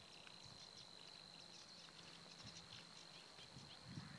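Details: Savi's warbler singing on 16 April 2016 at the Týnecké mokřiny nature reserve, Czech Republic: a steady, unbroken high buzzing reel held through the whole stretch, with faint scattered chirps of other birds above it.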